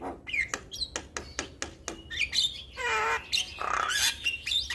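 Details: Javan myna singing loudly as a training recording for young mynas: quick sharp clicks and squeaky notes, then rasping churring bursts with a curving whistle among them.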